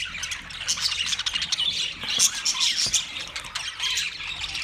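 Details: Budgerigars, twenty pairs kept together, chirping in a dense overlapping chorus of high, scratchy warbles and squawks with rapid chatter throughout and no pauses.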